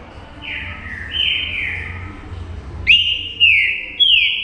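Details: Green-winged saltator singing to fire up other birds: two softer descending whistled slurs, then louder clear whistles that sweep down and rise again, each phrase about half a second long, ringing over a quiet low hum.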